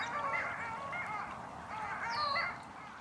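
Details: Nasal, yodeling calls from several Long-tailed Ducks overlap in a noisy chorus, with a higher rising-falling call near the end; a wintering flock lingering in cold April spring at Tommy Thompson Park, Toronto, Ontario, before leaving.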